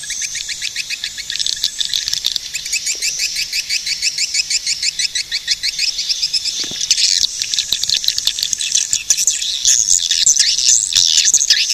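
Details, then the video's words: High swiftlet chatter: rapid, evenly pulsed chirps forming a steady trill, later swelling into a louder, denser shrill twittering mass. "suara burung walet"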